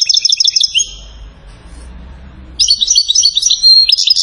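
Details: European goldfinch song recorded in Settat, Morocco: a burst of rapid high tinkling notes, a pause of nearly two seconds with faint low background hum, then a loud return of fast, bright chattering twitters and sweet whistles.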